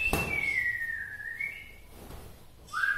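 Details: White-rumped shama of Bahorok, local native stock, with song said to provoke other shamas: one long pure whistle drifting slowly downward, a brief higher lift, then a rising whistled note after a pause, with a click at the start.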